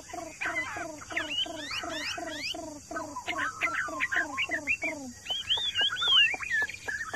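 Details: Caged hwamei kept in a courtyard, singing excitedly after hearing other birds call. A steady series of harsh, falling notes repeats about four times per second, then gives way to varied rising and looping whistles. Faint background hum throughout.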